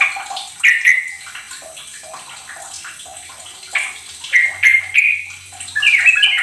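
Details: Sooty-headed bulbul, used to provoke silent bulbuls into singing, gives short, bubbly whistled phrases that rise and fall, several times over a steady splashing, water-like hiss.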